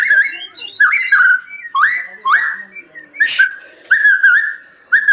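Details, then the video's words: White-rumped shama from a captive breeding setting giving bright looping whistled phrases, roughly one per second, each with a rising swoop, separated by short quiet gaps and one noisy burst. "Murai Batu Di Penangkaran"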